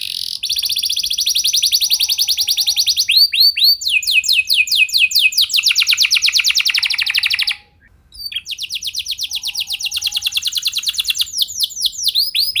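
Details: Long canary song meant to set other canaries singing, made of rapid rolling trills, swept rising notes and sustained rattles, broken by one short silence midway.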